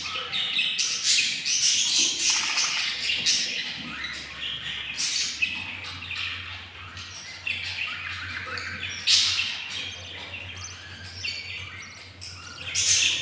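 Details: Begging albino lovebird chicks, four hatched from eggs, fifteen days along and very hungry: continuous high, scratchy rasping with irregular louder surges, roughly two a second, rising and fading throughout.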